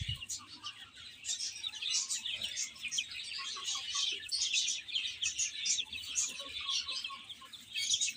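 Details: Many baby chicks chirping while eating and playing: a constant chorus of shrill, high-pitched peeps overlapping with no pause, plus faint low knocks.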